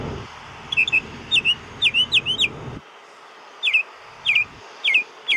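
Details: Springtime bird near an airport at noon, heard from outside a window: loud, sharp, rising chirps in quick groups of two or three, separated by short pauses, over low background rumble.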